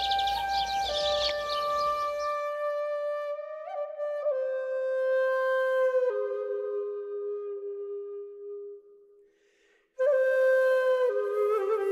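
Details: Slow, sustained flute-like notes stepping gradually downward, with a brief breathy noise at the start and no animal voice.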